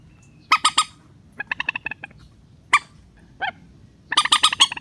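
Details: Rail lure call, a relaxed-style sound used to draw hard-to-land birds down into nets: short bursts of harsh, rasping squawks in quick groups, separated by pauses, with a low background hum.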